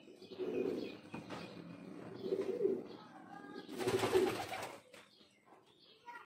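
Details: A pigeon, possibly a male, gives low, soft throaty coos about every two seconds, with a brief burst of flapping wings midway and faint chirps in the background.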